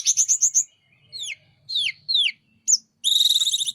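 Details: Sunda robin singing hard, wings spread: five quick high notes, several downslurred whistles, a sharp upslur, then a fast buzzy trill.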